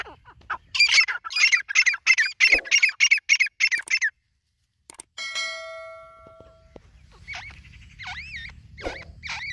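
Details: A white grey francolin (white teetar) calls a run of about eight loud, harsh, high notes at two per second, then a steady tone and wavering whistled notes over low background hum.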